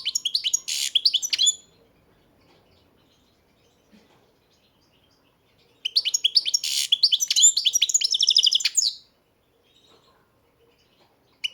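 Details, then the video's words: European goldfinch, a breeder's bird, singing two bursts of rapid twittering song: fast chirps, trills and buzzy notes high in pitch, the first lasting about a second and a half, the second about three seconds, with quiet pauses between. "Pesma štiglića, češljugara"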